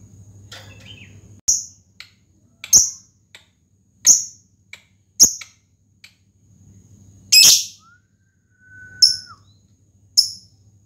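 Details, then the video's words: Fighter lovebird used as a lure to provoke other lovebirds into singing: spaced, very high, sharp chips roughly every second, one harsher louder note, and a brief low whistle, over a faint low hum. "pancingan lovebird,lovebird fighter,lovebird ngetik panjang pancingan ngekek."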